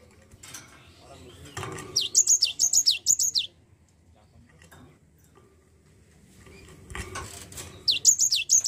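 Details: Lure recording of a Java sparrow to coax a lazy bird into song: a burst of high, descending chirps, a pause with faint rustling, then another chirp series starting near the end.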